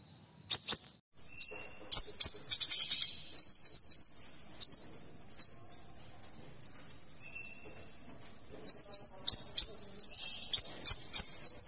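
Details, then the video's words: Kolibri ninja sunbird in full varied song, bursts of very high, rapid chattering trills and twittering phrases separated by a short quiet gap, rich in fill notes. "Masteran Kolibri Ninja Isian Mewah"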